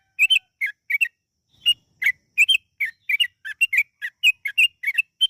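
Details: Yellow-vented bulbul in a long 'ropel' lure song: quick clear whistled notes, often doubled, in a near-continuous uneven series after a short opening pause.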